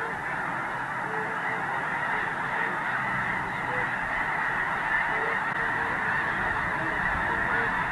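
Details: Large flock of geese calling on a dark, overcast morning at Squaw Creek National Wildlife Refuge, Mound City, Missouri, leaving an iced-over refuge at dawn to feed in nearby fields; dense continuous roar of overlapping honks with scattered clearer notes.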